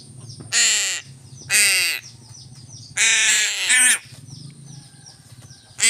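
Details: Crow calling while being fed fish: four loud, harsh, nasal caws, the third long and drawn out, with short pauses between them over a steady low hum.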